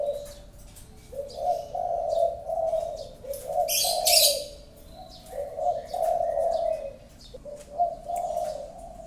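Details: Spotted dove, a prized caller, repeating low mellow coo phrases about every two seconds, each opening with a short note; a sharp high chirp burst from another bird cuts in midway.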